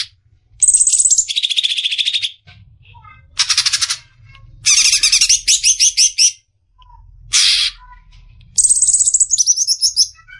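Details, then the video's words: Varied besetan phrases from a cucak ijo (greater green leafbird) for masteran training: high whistled trills dropping to lower buzzy rattles, sharp chattering bursts and clipped squawks, separated by short pauses with faint low background noise. "Besetan suara burung CUCAK IJO"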